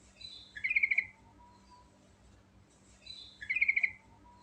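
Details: Sooty-headed bulbul, natural recording, in lively rolling ngerol song full of fill-ins: two short, bright phrases of quick clipped notes, each ending in a rapid stuttering flourish, about three seconds apart over quiet background.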